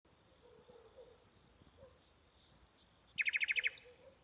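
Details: Bird calling at night: a steady series of thin, high whistled notes about twice a second, then a sudden rapid burst of about eight sharp, bright notes ending in a steep upward sweep.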